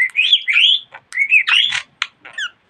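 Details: Chattering budgerigar in steady talk, mixing sliding whistled syllables with raspy broadband bursts, falling quiet briefly between phrases.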